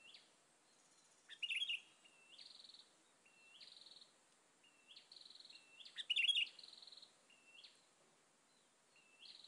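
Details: Sooty-headed bulbul calls while birds are being lured in and others come to perch nearby: short high notes that step upward, repeated about every second, with two louder buzzy, chattering bursts mixed in over a faint steady hiss.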